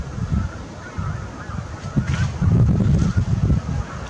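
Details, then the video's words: Large flock of geese, 8 April 2021, with softer scattered honks at first, then a louder, denser run of rapid low calls in the second half. "Suuri hanhiparvi - Hanhi ääni"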